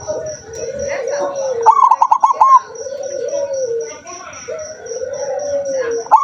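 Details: A zebra dove, said to sing only rarely, gives one bright burst of quick, rhythmic coo notes, and another starts at the very end. Low murmuring cooing and a steady high pulsing tick fill the rest.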